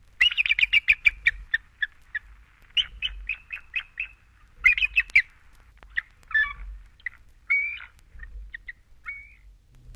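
Bald Eagle giving thin, high, squeaky chattering notes in quick bursts of five to ten, with brief pauses between series, over a faint low hum.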